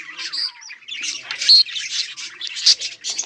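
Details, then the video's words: Several budgies chirp while playing on 24 July 2023, a busy chatter of high twittering notes with a few louder squeaky peaks and one low sliding note early on. "budgies chirping and playing"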